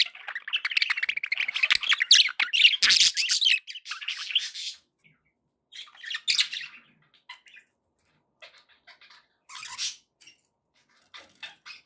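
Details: Happy pet budgies chatter loudly and densely in scratchy, warbling squawks for the first few seconds, then drop to scattered short chirp bursts.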